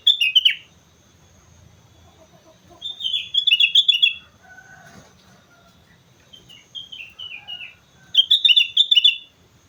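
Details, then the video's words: Sooty-headed bulbul singing energetically on Mount Slamet: short bubbly, warbled phrases of rapid rising and falling notes, given in three bursts separated by pauses, with a faint low hum beneath. "suara burung kutilang gacor gunung slamet"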